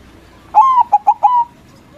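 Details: One loud phrase from a white perkutut, or zebra dove, sung to draw answers from rival doves: sliding opening coo, three fast clipped notes, then a steady lingering coo.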